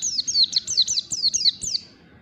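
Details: White-eye singing in the ngalas style in the morning, played as a lure for a reluctant bird: a rapid string of high, thin whistled notes, each sliding downward, about eight in two seconds, then fading out.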